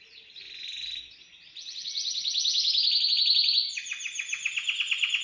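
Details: Timbrado canary, a bird placed in its cage the night before, singing in an aviary: a soft warble that swells into a long rapid trill, then drops to a lower pulsed roll of evenly repeated notes.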